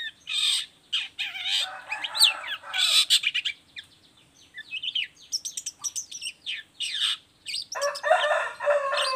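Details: Long-tailed shrike song, a lure for shrikes kept as birds to answer: a busy, varied run of harsh scratchy bursts, quick chirps and sharp rising and falling whistles, with short pauses, ending in a long grating burst.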